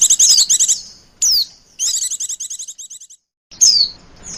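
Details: White-eye lure call for calling wild birds: a quick trilled chatter, a single sharp downslurred note, then a longer run of rapid high twitters, a pause, and a final falling whistle.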